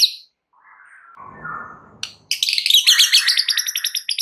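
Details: Shama song played as a lure to rile other shamas: after a soft, noisy lead-in, a dense, buzzy chatter of fast high notes runs on steadily.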